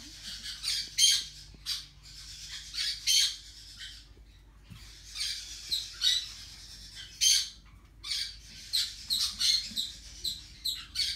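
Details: Four-week-old Yellow-chevroned parakeet chick giving harsh, buzzy squawks in irregular bursts, several per second at times, with brief pauses between.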